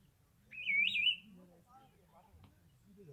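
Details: Wild bird in the Himalaya giving one clear, wavering whistled phrase that rises slightly and lasts about half a second, followed by faint low murmurs of voices in the background.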